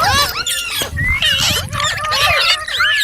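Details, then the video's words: Green parrot chirping: quick bent whistles and harsh squawky notes from more than one bird, crowded together with barely a pause, plus a soft low background rumble. "Green Parrot Chirping Sounds /Voice"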